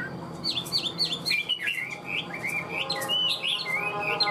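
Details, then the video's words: Caged Hwamei with a stiff fig-leaf tail sings loud, clear whistled phrases, repeated down-slurred notes followed by rolling warbles and sharp accents, over a soft hum. "Họa mi vip đuôi lá vả cứng, hót cực tốt đấu tốt"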